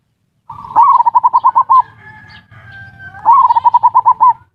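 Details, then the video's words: Ngerot and kuwor style song of a zebra dove, a lure for breeding arousal and silent birds: two bursts, each a sharp rising note followed by about ten rapid, evenly spaced coos, with faint softer notes between. "Suara pancingan perkutut ngerot dan kuwor"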